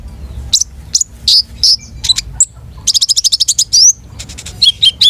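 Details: Long-tailed shrike song rich in varied material: scattered high chirps and whistles, then a fast run of repeated sharp notes, ending in short chattering phrases, with a quiet low hum beneath.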